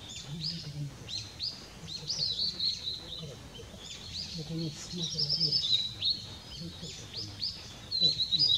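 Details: A blue-and-white flycatcher, recorded on 6 May 2016, sings high, clear whistled phrases and sharp chirps in short bursts every few seconds, over a low hum and faint voices.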